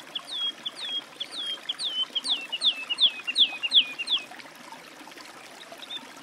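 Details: Singing woodlark (Lullula arborea): about ten evenly spaced, down-slurred mellow whistles delivered over four seconds, each a little louder than the last, then fading away into quiet background.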